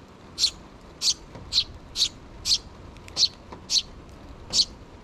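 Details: Two sparrow nestlings calling for food from their parents, June 2023: eight sharp, high chirps at a steady pace, roughly one every half second, against faint hiss.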